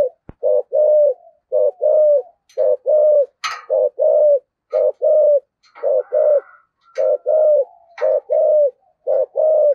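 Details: Spotted dove with a deep thổ-style voice calling to its flock as a lure; steady low paired coos, short then drawn-out, repeated roughly every second, with faint higher chirps from other birds in between.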